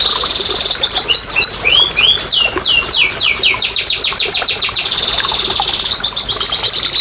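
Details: Canary singing to rouse quiet canaries: varied whistled phrases opening into a dense run of fast descending notes, then softer trills and another quick burst of sweeps.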